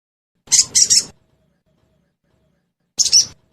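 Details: Sogon bird lure recording meant to make caged sogon birds respond and sing: a harsh, buzzy triple chirp in quick succession, then a single rasping burst after a two-second pause.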